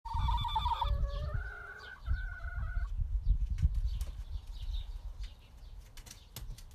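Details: Happy backyard chickens give a few drawn-out, nasal harmonic calls that step between pitches over the first three seconds, followed by scratching, rustling and low rumbling noises.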